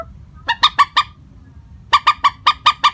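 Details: Common moorhen calling as a bird-trapping lure, steady in pitch: a burst of four harsh clucks, a short pause, then a longer run of seven evenly spaced rasping notes.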